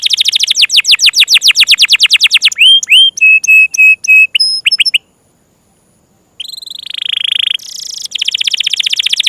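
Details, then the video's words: Chatty caged Atlantic canary singing a long rolling song, used as a master recording for training other birds. Fast even trills repeat several times a second, then clipped whistled notes and a buzzy stretch after a brief pause, all loud and close. "Masteran burung kenari gacor ngerol panjang"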